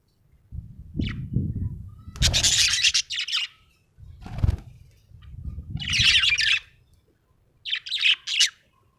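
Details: Happy budgerigar chirping in three separate bursts of harsh, buzzy chatter, with low thumping and rustling noises between them.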